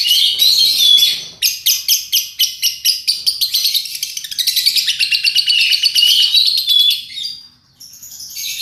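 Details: Lovebird song used as a lure to get other lovebirds singing; a loud, dense, high chattering trill of rapid chirps and buzzy warbles, pulsing steadily before fading near the end.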